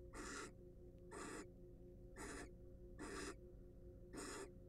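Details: Wild barn owls in a monitored nest box give harsh, breathy hissing bursts, each about half a second long and repeated roughly once a second, five in a row over a steady low electrical hum.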